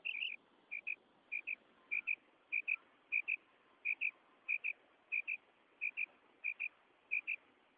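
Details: Quail sound used at night to attract quail for hunting: soft paired chirps repeated steadily, roughly every half second, over a faint hiss.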